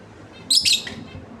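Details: Lovebird pair: one short, sharp, high chirp lasting about a third of a second over a low background hum.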